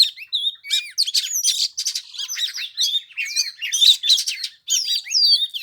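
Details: Oriental magpie-robin in 15-degree cold on the third day of Tet, song played to entice another bird to fight: loud continuous full song packed with scratchy buzzes, rapid trills and looping whistles.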